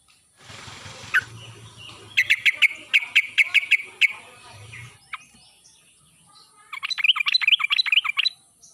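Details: Sooty-headed bulbul, wild-style lure song used to prompt silent birds to sing: a burst of rapid, bubbly whistled notes, a pause, then a second chattering phrase of quick rising notes, over a low background hum.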